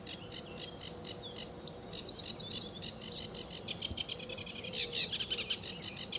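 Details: Early-morning song of a sedge warbler at RSPB Fowlmere in July 2013: continuous, hurried, chattering phrases of varied high notes, grating and sweet by turns, with a faint low sound in the background.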